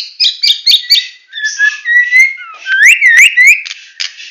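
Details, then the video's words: Medan-type White-rumped shama singing a full 'tembakan' song: rapid twittered notes, then clear whistled slurs rising and falling, with several upswept whistles repeated near the end. "Murai Batu Medan Full Tembakan"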